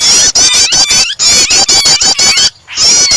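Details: Starter recording of a prinia combined with a trapped, distressed bird, meant to set other birds singing. Piercing high-pitched stuttering chatter comes in quick pulses, with a short rising whistle midway and a near-silent gap late on.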